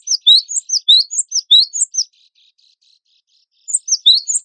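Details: Energetic gelatik batu wingko, or cinereous tit, from a songbird-contest tutor compilation: a two-second run of bright paired chirps, a pause with faint twitters, then the chirping phrase resuming.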